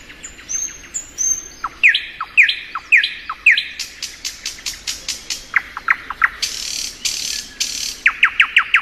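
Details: A nightingale singing in spring gives a rich, varied song: high whistles, rapid repeated downslurred notes, clicking series and harsh buzzy bursts, changing phrase every second or two.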